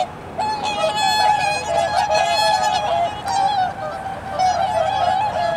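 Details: Whooper swans recorded in Aomori City, Japan, 2021: a chorus of overlapping bugling honks, rising and falling in waves, with a steady tonal hum beneath the flock.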